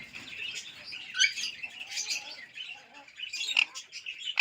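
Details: Alexandrine parakeet, a talking parrot said to speak Urdu and English, gives a run of harsh, high, scratchy chirps and squawky bursts, rising and falling unevenly over a few seconds; no other sounds stand out.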